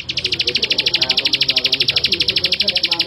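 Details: Male Bar-winged prinia singing a fast, regular string of bright, high chipping notes without a break. Soft, low murmuring is heard underneath.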